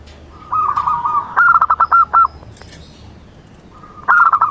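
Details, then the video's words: A local Majapahit zebra dove (perkutut) singing vigorously: a soft, mid-pitched cooing phrase, a drawn-out trill followed by five quick staccato coos, with the phrase beginning again near the end. "PERKUTUT LOKAL MAJAPAHIT MANGGUNG GACOR"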